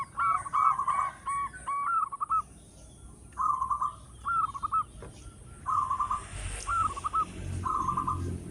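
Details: Loud local zebra dove song used to lure others: low rolling coo phrases about a second long, repeated every second or so in groups, each a quick stutter of notes ending in a trill.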